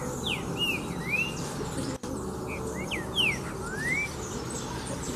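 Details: A Green-winged saltator (Saltator similis) sings short phrases of clear, slurred whistles, some rising and some falling, over a steady low hum.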